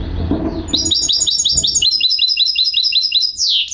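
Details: Goldfinch hybrid singing: a rapid run of high twittering notes repeated nearly three times a second, each a quick bright chirp dropping slightly, ending in a sharper slurred note; low rumbling noise at the start.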